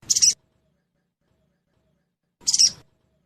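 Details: Sogon trotol lure call for prompting quick singing: a pair of thin, high, buzzy chirps with a faint whistled tip, separated by over two seconds of quiet.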